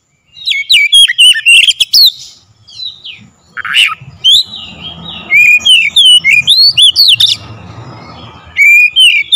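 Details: Oriental magpie-robin song used as a lure to excite other birds into singing: rapid chains of loud whistled, swooping notes with a few harsh scratchy bursts, brief pauses, and a low background hum.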